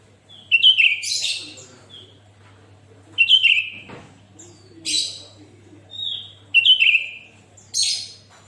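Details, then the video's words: Sooty-headed bulbul in full voice (gacor), used as a model to start other bulbuls singing: repeated whistled phrases with loud buzzy high bursts, about every three seconds, plus single falling whistles and a soft click between. "Suara Burung kutilang Gacor"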